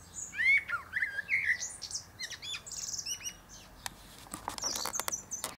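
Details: A male Common blackbird sings from the top of a pear tree, giving mellow whistled phrases that slide up and down, each closing with thin high squeaky twitters, among sharp clicking sounds near the end.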